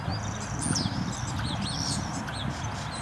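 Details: Common starling (Sturnus vulgaris) singing during its courtship display: high, wavering whistles and thin slurred notes run together over a steady low rumble.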